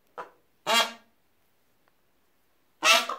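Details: Peafowl chicks frightened and giving alarm calls: three short harsh honking bursts, with a gap of nearly two seconds before the last, in an otherwise quiet setting.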